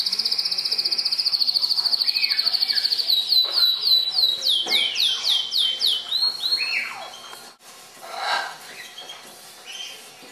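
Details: A canary in a pet shop at nap time sings a rapid, high, even trill about three notes a second, then a run of varied swooping and falling notes, fading into quieter chatter.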